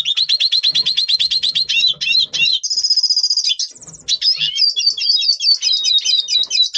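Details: Red siskin, Double Pastel mutation, singing before the breeding season in November 2023: a fast series of high notes, then a brief buzzy sustained phrase, followed by varied rapid twittering.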